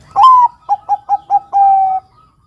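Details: Perkutut Bangkok, a zebra dove, in full song meant to stir young males: a long slightly falling coo followed by four quick evenly spaced short notes and a drawn-out level coo.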